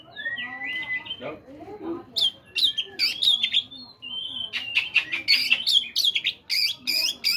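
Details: Oriental magpie-robin singing in the morning, played to prompt caged birds to sing: a long whistled note near the start, then bursts of sharp, varied, rapidly changing high whistles and chirps with brief pauses.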